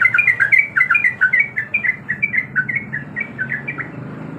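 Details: Yellow-vented bulbul female, in breeding condition, calls for a male with a steady run of short, bubbly chirps, about two per second, each note a quick up-and-down flick, over a faint low hum.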